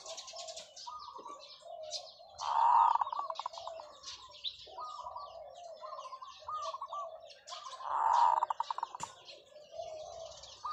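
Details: Zebra dove kept as a decoy, singing long calls: a run of rolling coo phrases with two loud, trilled climaxes about five seconds apart, small birds chirping in the background.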